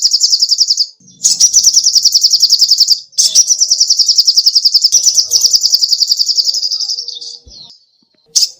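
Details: Sogoh ontong songbird, a tutor recording for songbirds, pours out long runs of rapid, high, buzzy chips that slowly fade at the end of the last phrase, with a short gap between runs.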